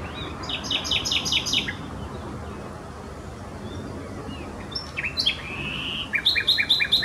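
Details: A common nightingale sings in Neeracherried wetland, Canton Zürich, Switzerland, on 4 June 2016: two bursts of rapid, repeated high notes, the second opening with a rising whistle, separated by a quiet pause over soft hiss.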